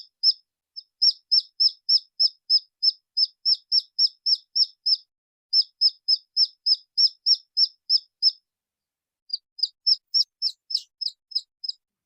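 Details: Crying red junglefowl chick giving long insistent series of high, piercing peeps at about three per second. Two brief gaps break the run before it continues just as steadily. A single faint low tick is the only other sound.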